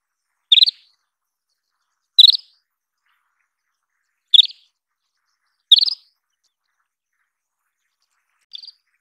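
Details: Isabelline wheatear uttering four quick high chirp bursts at irregular intervals of about two seconds, followed by a faint short note after a pause.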